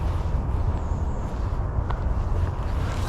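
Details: Heavy low wind rumble buffets the microphone throughout, with no animal voice.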